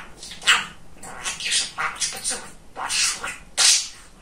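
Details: Chatty male pet budgerigar (talking parrot) chatters in quick, squeaky, high-pitched bursts of mimicked speech, five or six short phrases over four seconds, with faint background hiss.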